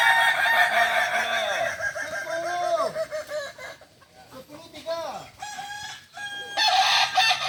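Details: Several Kukuak Balenggek roosters crowing together during a training session in Ampang Kualo, Kota Solok. Long crows of many bending notes overlap and trade off, with drooping final syllables and short gaps between bursts.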